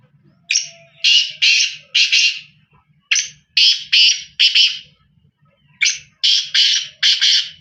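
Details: A black francolin gives three rasping phrases, each of four grating, buzzy notes run tightly together, repeated roughly every two and a half seconds against a faint low background hum.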